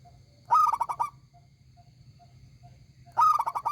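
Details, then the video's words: Local zebra dove singing actively with a big, loud voice: two rolling cooing phrases, each a quick run of about five bubbling notes, separated by a pause, over a steady low hum and faint short tones. "perkutut lokal gacor suara besar nyaring"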